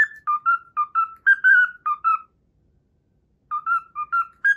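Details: Learned Pythagora Switch melody whistled by a pet cockatiel: two bursts of clear, bouncy whistled notes separated by about a second of silence.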